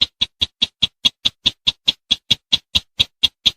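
A bush bird gives a fast, even run of sharp, high clicking notes, about five a second, with no other sounds.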